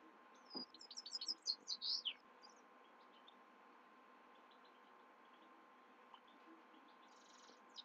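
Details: Himalayan goldfinch singing at night: a quick burst of high, sharp twittering notes and short trills in the first two seconds, then near silence with a faint steady hum and a few soft distant chirps.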